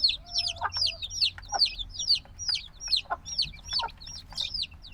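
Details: Loud, clear cheeps from noisy little black chicks only days old, high notes sliding downward in quick irregular series, with scattered low knocks and a faint hum underneath.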